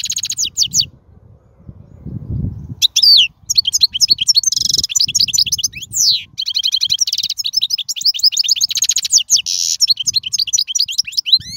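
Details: European goldfinch from the wild, song used to tutor young birds: long, dense run of high tinkling twitters, buzzy trills and sweeping slurred notes after a brief quiet start with low hum.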